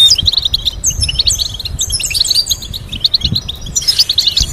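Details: European goldfinch song for teaching goldfinches to sing: rapid sequences of crisp chirps and high whistled notes, pausing briefly, then a dense burst of twittering near the end.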